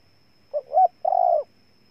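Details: A single phrase from a spotted dove in Ninh Thuận, Vietnam: two quick rising notes, then a sustained, steady, slightly rough coo of about half a second. The surroundings are quiet.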